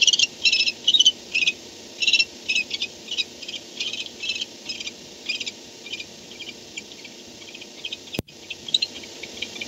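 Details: At a barn owl nest before dawn, 4:38 am on 2-10-16, after an adult comes home: loud raspy chittering bursts at first, fading into fainter, scattered ticks, with a single sharp click near the end.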